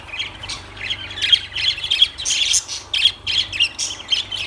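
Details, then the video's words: Lovebirds chatter in a rapid run of shrill, squeaky chirps and harsh squawks, high-pitched and almost continuous, coming in bursts about every half second. "Lovebirds Sounds Birds Singing"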